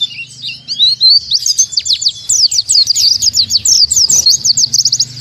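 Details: Oriental white-eye delivering a 'tembakan tanpa nafas' song: a short high twitter that breaks into a fast, breathless run of sharp slurred chirps, about three per second, with a faint low hum beneath.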